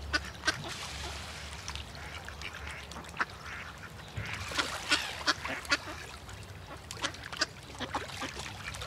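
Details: Many ducks swimming together on water alongside a great white pelican, giving short, irregular quacks, several per second at times, over a steady background hum and light splashing.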